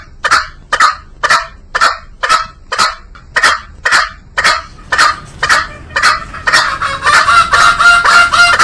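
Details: Green junglefowl calling: a regular run of short, rough, rasping notes about two per second, followed near the end by a faster string of nasal, honking notes.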